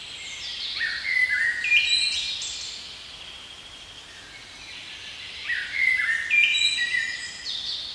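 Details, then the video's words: Blackbird in a spring forest sings two similar phrases about four seconds apart, each a rising fluted warble ending in high twittering squeaks. A quiet, even hiss lies between the phrases. "Blackbird Song"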